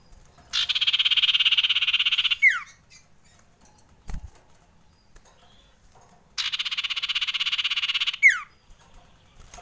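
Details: Frightened male common iora used as a lure call: a harsh, buzzy, broadband rattle of almost two seconds ending in a quick falling whistle, then repeated after a pause of about four seconds. A faint low thump is heard between the calls.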